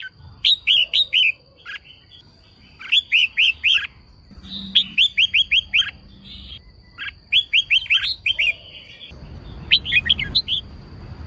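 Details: Female red-whiskered bulbul song meant to excite males and set them singing: five rapid phrases of four to six cheerful chirped notes, about two seconds apart, with a faint constant high tone and some background rumble near the end.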